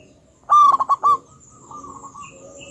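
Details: Local wild-type zebra dove, described as very vocal with a big voice, in a lure recording. One loud staccato coo: a ringing note breaking into four rapid pulses, then fainter softer cooing and high thin sounds.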